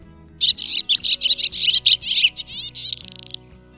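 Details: A Barn Swallow, presented as a Polish bird, gives a fast, high chattering twitter of about a dozen scratchy notes, ending in a brief dry buzzy rattle, over soft background music.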